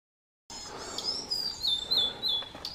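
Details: Blue-and-white flycatcher at fledging time, a pair carrying caterpillars for the young, Shuhogahara, Kobe, Japan, 30 May 2020. A high thin wavering whistle drifts gently downward and back up, with faint clicks alongside.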